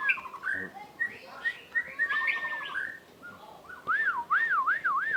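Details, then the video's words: A white-rumped shama in breeding condition sings quick whistled phrases and slurred notes, ending in a rhythmic series of four swooping, up-and-down whistles. "Suara burung murai birahi"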